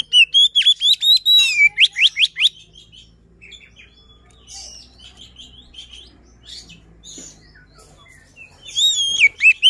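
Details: Luring song of a white-rumped shama: loud bursts of sharp, rapidly repeated rising and falling whistled notes, about two per second, then a quieter stretch of soft scattered chirps before another loud whistled phrase.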